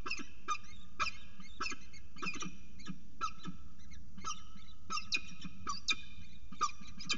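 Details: Peregrine falcon holding prey at 8:06 am on 26 September 2018: harsh, nasal, ringing calls given in uneven bursts about once or twice a second, each rich in overtones, over a low steady rumble.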